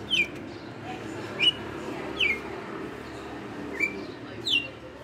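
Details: Caged red-cowled cardinal, a veteran kept for five years, singing in the açoite style: five clear, sliding whistled notes, each dropping in pitch, spaced about a second apart over a faint background murmur.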